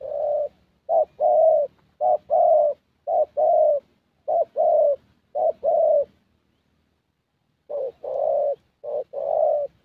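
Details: Spotted Dove, a young 'thổ' bird used in a decoy session in Gia Lai, Vietnam, giving paired coos, a short note then a longer one, repeated about once a second before a pause and a further run.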